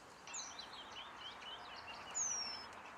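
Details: Nest-building Eurasian penduline tit at Källtorp wetlands outside Falkenberg in 2013: soft twittering from other birds at first, then one clear, high, thin whistle falling slowly in pitch.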